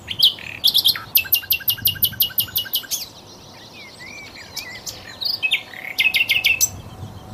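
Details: Song of the flycatcher called sikatan londo, used as a training song for magpie-robins: fast runs of crisp, clicking chips, a softer stretch of twisting whistles, then renewed rapid chip bursts.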